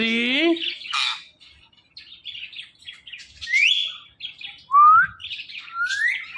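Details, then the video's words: Talking Indian ringneck parakeet: a brief harmonic, voice-like syllable opens, then a run of quick chirps, scratchy notes and short upward-sliding whistles, with one louder rising whistle near the middle. "This Ringneck Parrot Talking Is Epic.!."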